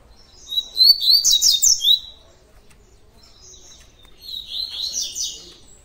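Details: Double-collared seedeater delivering a tui tui song: a vigorous burst of high, rapid, pulsing whistled notes. After a pause comes a softer, warbling second phrase of sliding tones.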